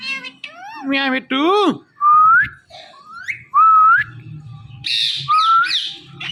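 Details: Indian ringneck parakeet kept as a pet indoors, talking and whistling: a rapid burst of harmonic speech-like syllables, then upslurred whistles repeated about every second, some harsher high notes near the end.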